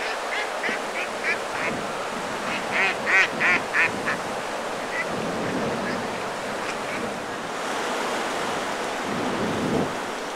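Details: A Mallard gives a quick run of about a dozen nasal quacks, loudest in the middle, then falls quiet against a steady rush of wind or surf; on the banks of the Vincin, Vannes, France, 8 September 2022.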